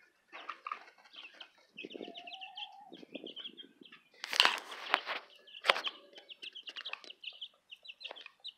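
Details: Chicks of the Southern Rambler and Golden Comet breeds peeping steadily in high repeated cheeps, interrupted by sharp knocks and rustling, with a lower drawn-out tone early on.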